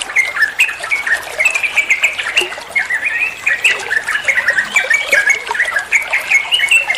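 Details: Sooty-headed bulbul (trucukan) song used as masteran tutoring for other songbirds, in rapid ropel style: busy, overlapping chirpy phrases of short rising and falling notes, tightly packed and continuous with hardly a pause.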